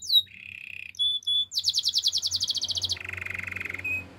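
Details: Canary singing a training song: a short high slur, a flat rolling trill, isolated whistles, then a long fast tour of clipped notes and a lower buzzing rattle.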